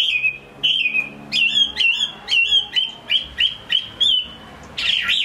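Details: Caged Chinese hwamei from Hai Phong, Vietnam, repeating a clear whistled note with a sharp upward flick roughly twice a second, ending in a louder, jumbled burst.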